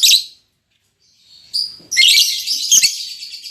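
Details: Albino MM male and lutino MM female lovebird, just put together as a pair, with a sharp squeaky note, a quiet gap, then a thin whistle and a dense burst of shrill, scratchy chatter.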